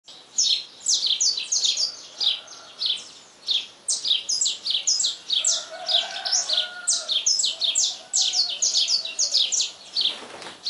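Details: Saffron finch singing a lot at dawn: bright, sharp chirped notes sliding down from high pitch, delivered in quick bursts nearly two per second, with a faint lower whistling bird in the background.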